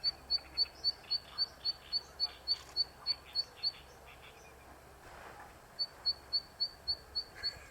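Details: Zitting cisticola singing while perched on an electric wire, the season's first: a steady run of thin, high 'zit' notes, about four a second, breaks off briefly with a burst of rustling noise, then resumes at the same pace.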